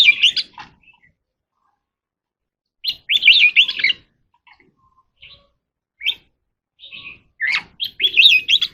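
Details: Contest singing of an Oriental magpie-robin: bursts of varied warbled whistles and chattering notes, some high and squeaky, interrupted by silent gaps of one to two seconds.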